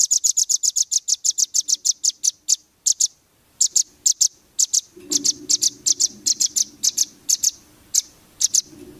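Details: Velvet-fronted nuthatch song for training competition birds: rapid high chip series breaking into irregular groups of sharp notes, with a low background hum appearing midway.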